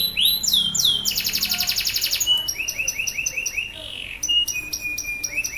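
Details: Male canary in loud, continuous song, used to prompt stuck canaries into singing and to teach young birds. High trills and rapid rolls, rising whistled upsweeps, and buzzy repeated notes shift quickly from phrase to phrase.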